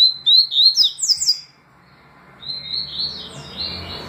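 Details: Double-collared seedeater singing tui tui and deputado styles: a rapid, bright series of rising and sliding whistles, a short pause, then a softer, buzzier warbling phrase.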